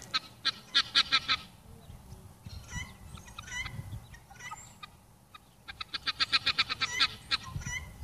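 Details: Pearl guineafowl outdoors on a sunny day giving bursts of harsh, rapidly repeated grating notes, several birds calling in quick series with quieter chatter between bursts.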